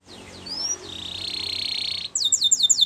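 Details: Belgian canary song used for canary training: a thin rising whistle, then a long, even, high buzzy trill, ending in a quick series of sharp high chirps.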